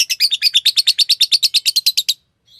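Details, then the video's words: Green Fisher lovebird, a pet, singing: a fast run of about eighteen sharp, harsh chirps repeated at an even quick pace for two seconds, then a brief faint note after a pause. "Lovebird singing and chirping sounds-Green Fisher"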